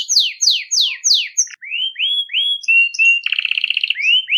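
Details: Nonstop bell-like song of a Belgian canary for training young birds: four loud descending whistled sweeps, a series of rising slurs, then a rapid buzzy rattle and more rising notes.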